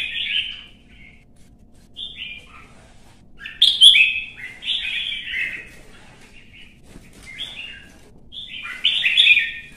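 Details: A red-whiskered bulbul in competitive fighting song gives short, loud, sweet warbled phrases, about five bursts separated by pauses of a second or two, each with slurred downward notes.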